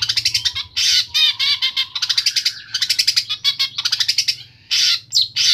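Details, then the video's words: Long-tailed shrike, Pemalang, Central Java, in isian sekebon song: dense, loud bursts of fast trilled and rattling notes broken by brief gaps, ending with a harsh sweep, all over a faint low hum. "CENDET ISIAN SEKEBON"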